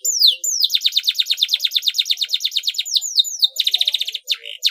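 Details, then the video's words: Canary in full song, meant to get other canaries singing along: high downslurred notes, then a long, fast, even trill of repeated chips, and a second quicker trill. "KENARI MANAPUN AKAN TERANGSANG & IKUT BUNYI DG CUITAN KENARI GACOR YANG INI"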